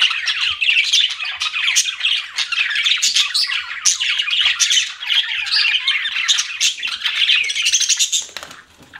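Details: Pet budgerigars chatter steadily for several seconds, a thick tangle of warbled, buzzy chirps and squawks that fades slightly at the close.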